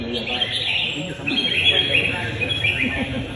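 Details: Red-whiskered bulbul singing during a bird-fighting contest, a bird judged worth training for its fighting spirit: rapid high chirps and warbled whistles in short busy runs, with a man's voice low in the background.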